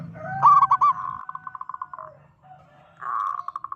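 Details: Zebra dove, local bird with a loud voice, calling to provoke other zebra doves; a sharp trilled coo leads into a long purring roll over steady tones, with a low hum below.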